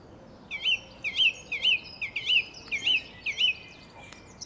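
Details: A single song thrush singing in a garden in April 2021, repeating one bright, looping flute-like whistled phrase about six times, roughly twice a second, over a quiet background.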